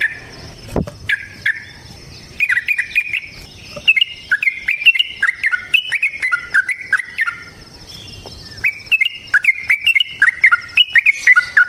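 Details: Wild-style vigorous yellow-vented bulbul song used for training other birds. Rich, gurgling whistled phrases rise and fall in chains, pausing midway and then resuming, over a faint steady high hum.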